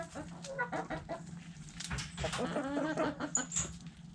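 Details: Backyard hens feeding on food scraps, producing rapid, irregular low clucks and a short warbled call, about three per second, with pecking clicks throughout.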